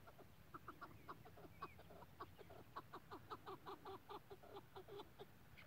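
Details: Chukar partridge giving a loud, steady series of harsh chuck notes, roughly four or five per second, building into a rhythmic chattering run, with a thin whistled note from another bird briefly audible.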